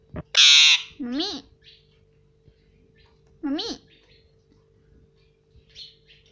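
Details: Indian ringneck parrot at home imitating its owners' words like "mummy" and "papa": a sharp harsh screech, then two nasal up-and-down word-like calls with quieter chatter between, in a small room.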